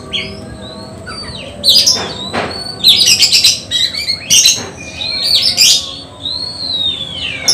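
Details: Oriental magpie-robin being prepared for a songbird contest sings bursts of buzzy chatter and bright whistles, ending on a long, smoothly falling whistled note, with quieter gaps between phrases.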